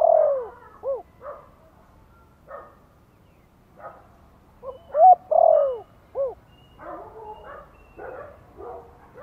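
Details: Spotted dove calling in the gentle Thổ-voice lure style to stir newly kept doves. An opening clipped coo, then a full phrase of short hoots and a long descending coo near the middle, mixed with scattered softer hooting notes throughout.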